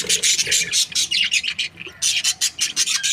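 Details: Loud, bright chirping from budgerigar breeding pairs comes as a steady string of short, buzzy notes, several per second, with one brief break midway.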